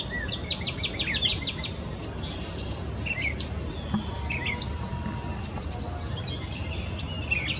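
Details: A gray catbird sings a rambling, unbroken jumble of squeaky, high notes, quick chirps and short slurred phrases, without its meow call, over a low steady background rumble.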